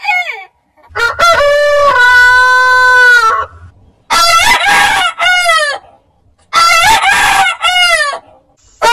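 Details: Crowing from heritage-breed roosters: a clean, steady, strongly harmonic crow over two seconds long, then two more separated crows with stuttering starts and falling endings.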